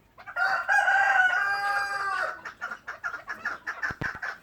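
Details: A pet chukar partridge gives a harsh, drawn-out nasal note, then breaks into quick clucking chuk notes, about three per second.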